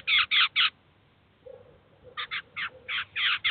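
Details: Eurasian jay feeding its chicks at a cheese feeder in the city of Kaluga: three quick rasping notes, a pause with soft low murmuring, then a burst of six or seven scratchy calls.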